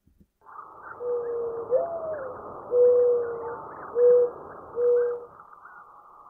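A mourning dove gives its low, mournful cooing: a first note that swoops up and slides down, then three soft, even hoots. A steady background hiss continues beneath.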